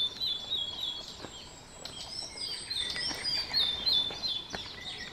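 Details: Blue-and-white flycatchers at Shuhogahara, Kobe, Japan, on 30 May 2020, as a pair carrying caterpillars attends chicks fledging: thin, high chirps and short warbled notes several times a second, with faint background noise.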